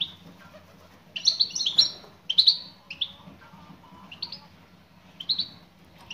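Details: Female European goldfinch calling a male, giving clustered bright tweets and short downslurred chirps in bursts, with a quiet pause before a final pair of calls.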